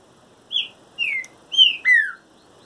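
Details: Green-winged saltator singing during its moult: four clear whistled notes in a little over a second, each sliding downward, the last two run close together, over a quiet background.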